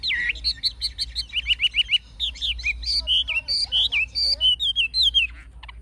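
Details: Chinese hwamei, an old bird from the wild with a fig-leaf tail, sings its forest-style song. Bright whistled notes come in quick repeated groups of four or five, then shift to varied slurred phrases.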